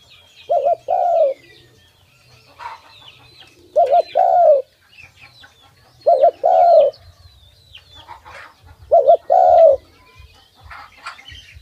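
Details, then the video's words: A tame dove, hand-fed and touchable, cooing when its keeper comes near: four coos, each a short wavering double note followed by a longer falling hoot, spaced roughly three seconds apart, with faint high chirps behind. "An Awesome Dove Sound"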